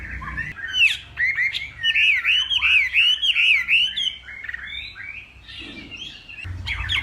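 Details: Hwamei of northwest Vietnam in a morning singing contest: rapid, looping whistled notes repeated in a fast series, followed by softer varied phrases and a short pause before singing resumes.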